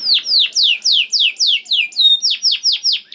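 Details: Singing canary, in a recording meant to stimulate other canaries to sing. About fourteen clear downward-sweeping whistles repeat steadily at roughly four per second, with one brief level tone in the middle.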